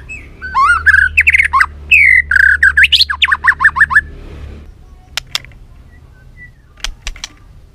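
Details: White-rumped shama with a varied, many-voiced song used to stimulate and train birds to sing. Loud whistled phrases run for four seconds, with rising and falling notes and quick repeated slurs, followed by sharp clicks and a low hum.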